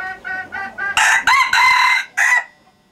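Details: Male hybrid red junglefowl of a Laos strain, a breeding rooster. Four soft, evenly spaced clucking notes lead into a loud, harsh, broken crow in three bursts, with a short final burst before silence.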